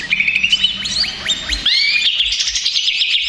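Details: Greater green leafbird, noisy and stressed as a lure, opens with steady whistles and quick downslurs, then bursts into fast crowded chatter.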